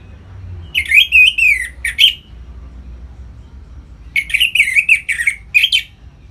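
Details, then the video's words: Orange-headed thrush kept in captivity, singing ngeplong to stir breeding mood in other birds: two loud phrases of rolling, buzzy-edged whistles and slurred notes, separated by about two seconds of low hum. "Suara Ngeplong ANIS MERAH Gacor Memancing Burung Agar Birahi dan Lanjut ke Tahap Teler"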